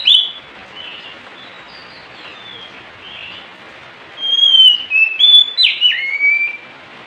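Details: Oriental magpie-robin song: quiet scattered whistles at first, then a loud burst of clear descending and sliding whistled phrases with sharp high notes, over faint hiss.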